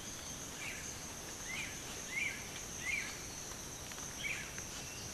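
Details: A pair of Ocellated antbirds at an army-ant swarm on Pipeline Road gives short, sharp mid-pitched chip notes, five in five seconds at an uneven pace, over a steady high insect drone.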